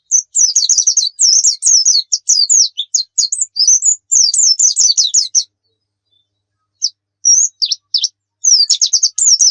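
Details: Javan white-eye twittering used for bird training: busy, sharp, high chirps and slurred notes in a fast jumble, then a brief pause before scattered single notes and a final quick burst.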